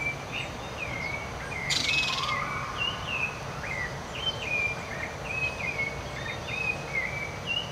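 Rufous-bellied thrush singing short, clear whistled phrases at a mid-high pitch, repeated steadily, over a steady hiss of outdoor background noise and a brief rustle.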